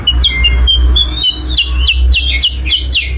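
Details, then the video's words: Sooty-headed bulbul lure song for attracting birds: quick series of high, sharp, downslurred chirps repeated several times a second, over a steady low hum. "kicau pikat burung kutilang sutra"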